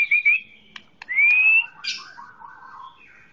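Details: Green leafbird song used as a training recording for young birds: a fluttering whistled note, a long rising clear whistle, then a low warbling run with a buzzy burst, against faint background clicks.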